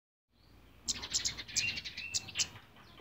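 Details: A captive male orange-headed thrush courting a female gives a quick run of high, sharp chirps and short whistled notes, about six bursts in under two seconds, over faint background hiss.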